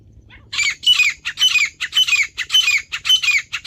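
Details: Wild female partridge, natural call: loud raspy squawking notes repeated about twice a second. Light low background noise.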